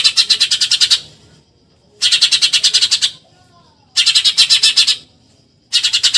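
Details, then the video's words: Eurasian tree sparrow repeating 'tembakan nyerecet' bursts, meant for training contest songbirds: four quick volleys of grating chirps, each about a second long, spaced roughly a second apart. "MASTERAN TEMBAKAN NYERECET BURUNG GEREJA"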